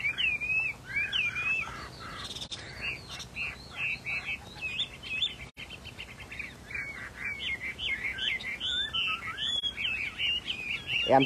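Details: Chinese hwamei in a cage, said to be an extremely rare silvery leucistic bird, delivering a long loud varied song of looping whistled notes and fast trills, with a brief click and murmur near the end.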